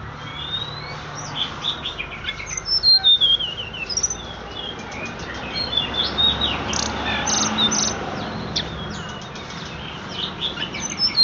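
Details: Horsfield's bush lark singing a rapid, varied stream of high chirps, short whistles and buzzy trills, with a steady insect-like hiss and low hum in the background.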